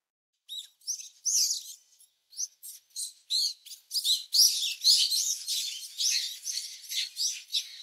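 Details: Close-up at a brown-eared bulbul nest during feeding of the young chicks: shrill squeaky chirps start sparse, then quicken into an intense, continuous chattering chorus, with no other sounds.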